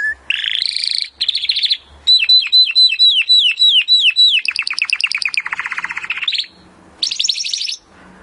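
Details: Timbrado canary song used as training audio to improve canaries' singing: rapid trilled phrases switching every second or so, a run of repeated falling whistled notes, buzzy rolls and a steady high trill, with brief pauses.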